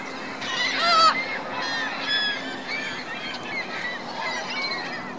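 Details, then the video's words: Reno's Virginia Lake, geese with goslings: a loud honking burst near the first second, then scattered nasal calls and high peeps from multiple birds, with a low steady hum underneath. "Geese Goslings Reno Virginia Lake"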